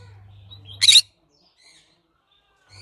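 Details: One brief, rough screech from a green-cheeked conure, slightly doubled, surrounded by near silence and a faint low drone.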